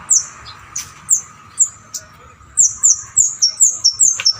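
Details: Bar-winged prinia, loud and shrill, recorded as a tutor for songbirds: a series of high, sharp downslurred chips, sparse at first and then quickening to a rapid run of repeated notes about every quarter second.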